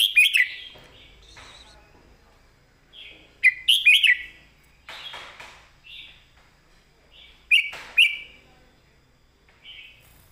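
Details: Clearly phrased 'master song' of a caged red-whiskered bulbul: repeated short, bright warbled phrases of fast whistled notes every few seconds, interspersed with softer single whistles and light clicks.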